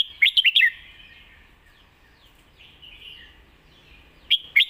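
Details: Red-whiskered bulbul performing the Lak Wai song: a brisk burst of four ringing, slurred notes, a long quiet stretch of faint warbling, then the phrase begins again.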